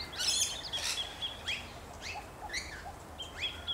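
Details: Rainbow lorikeets in Australia give a busy mix of short, shrill chirps and downslurred squeaks, several birds overlapping at a quick, irregular pace against a soft outdoor hiss.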